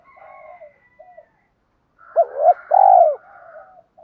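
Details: Cooing spotted dove for exciting newly caught birds and training decoy doves: gentle low coos, a pause, then a sharp hooked double note and a long loud arching coo, ending in soft trailing notes.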